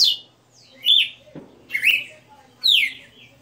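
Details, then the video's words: Galo de campina, a kept Red-cowled cardinal of the 60 notas song type, giving four clear whistled notes, each a bright downward slur easing into a level tone, spaced unevenly with short pauses between them. "Galo de Campina 60 NOTAS Cantando Ao vivo"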